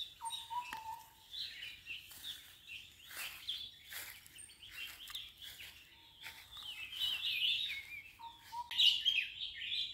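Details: Red-vented bulbuls at a nest while feeding babies, giving rapid high chirping and squeaky twittering in irregular clusters, with brief lower whistled notes now and then.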